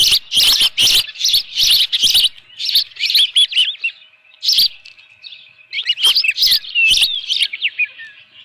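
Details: At a ranch nest in June 2018, an osprey holding a live fish utters rapid, excited high chirps with sharp clicks, fading to softer, thin whistles near the end.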